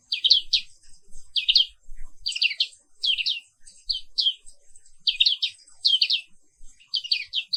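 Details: Black-capped white-eye (Zosterops atricapilla), a bird found only in Indonesia, singing in the morning: short bright bursts of two or three high chirps, repeated roughly every second.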